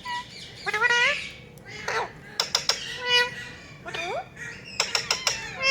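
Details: A Rose-ringed parakeet raised as a talking parrot chatters with nasal, speech-like wavering notes mixed with sharp clicks and a rising squeak, in quick irregular runs.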